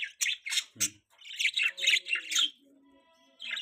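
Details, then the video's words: Young pet budgerigar giving rapid, rasping, chattering chirps in a dense run, then a quieter stretch with faint low tones before chirping resumes. "baby budgie chirping sound"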